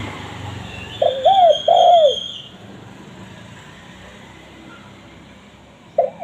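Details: Spotted dove cooing, used to draw in wild doves: a pair of short bent coos then a long falling coo, silence with faint hum, and the start of the next phrase at the end.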